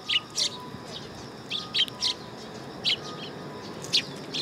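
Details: Sparrows coming onto a perching stand at a Tenmangu shrine, 3 September 2022: short bright chirps, singly or in pairs, scattered about once a second, over a faint steady tone and light background hiss.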